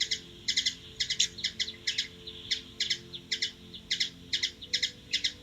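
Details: Washington DC, USA: a hummingbird repeats crisp doubled chip notes at a steady pace, roughly two pairs per second, with no other clear sounds.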